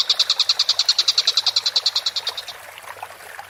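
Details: Collared kingfisher, a tengkek buto, on a tutor recording for training songbirds, calling vigorously: a fast, regular series of sharp high notes, about eight a second, running for over two seconds before fading into quieter background chatter.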